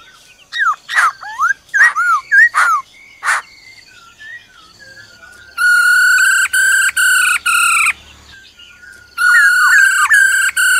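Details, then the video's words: Forest-style singing of a black-throated laughingthrush, accompanied by the female's rolling trill. Sharp clicks and bent whistled phrases come first, then two series of sustained, buzzy, overtone-rich bursts, each about half a second long. "Khứu bạc má hót giọng rừng kèm theo tiếng mái ro ro"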